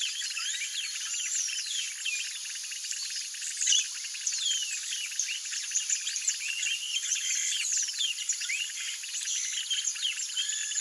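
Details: Flock of Yellow-rumped Marshbirds (Pseudoleistes guirahuro) feeding on Brachiaria seeds gives a dense, constant chatter of sharp, overlapping chirps and short slurred notes, with no pauses across the whole stretch.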